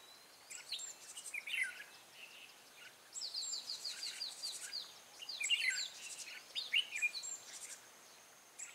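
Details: Red-whiskered bulbul serving as a lure for trapping, dated 14 March 2017, delivering separated bursts of clear whistles, warbled trills and sharp rising notes, with faint insect hum between phrases.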